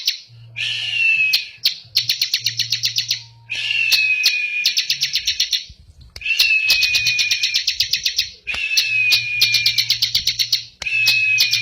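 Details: Bar-winged prinia, Indonesian ciblek or prenjak, singing eagerly: repeated phrases of rapid high ticking over a thin descending whistle, around two seconds each with short gaps, and a low hum in places.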